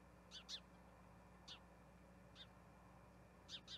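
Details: Spotted eagle-owl family at a Johannesburg nest, 21 October 2021, male bringing a rat for the female and two owlets: six sharp, high, hoarse chirps, a close pair, two singles, then another pair, above steady hum.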